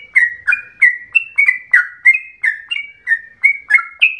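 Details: Yellow-vented bulbul delivering a long, fast song said to sound like a straw-headed bulbul: a steady run of bright whistled notes, some level and some falling, roughly three each second.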